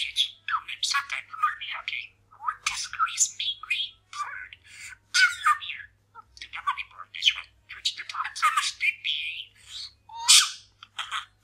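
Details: Pet male parakeet indoors, chatting and mumbling while practising new sayings: rapid, busy strings of squeaky chatter and warbled syllables with speech-like bursts, in nearly continuous short phrases.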